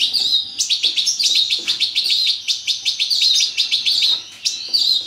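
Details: European goldfinch, major form, in a breeding setup, delivering a rapid, continuous liquid twitter of clipped high notes repeated several times a second, with a brief pause near the end before resuming.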